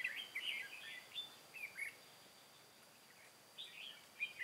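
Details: Decoy red-whiskered bulbul singing to draw in wild bulbuls for trapping, Vietnam, 23 August 2018: a few fainter rolling whistled phrases at the start and end, with a quiet gap between.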